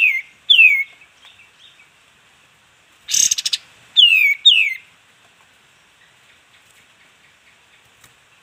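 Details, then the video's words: Sooty-headed bulbul (kapas tembak) in a training recording for caged birds: pairs of bright downward-sliding whistles separated by long quiet gaps, with a short buzzy, rattling burst between the pairs. "masteran burung kastem agarcepat bukor"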